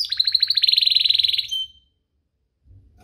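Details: Canary song played to provoke other canaries into singing: a fast rattling trill of repeated notes, about three or four per second, lasting around one and a half seconds, ending in a brief tone, then silence.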